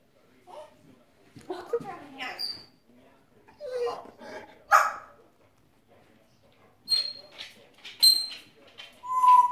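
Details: Grey parrot talking, mimicking human speech in short voice-like phrases with breathy syllables, mixed with sharp high whistled notes and clicks, bursts spaced by brief pauses; no other animals heard.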